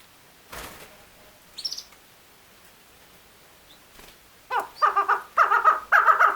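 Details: Female chakor, or chukar partridge: faint scattered knocks and a short high chirp, then in the second half a building series of harsh, stuttering chuckling bursts.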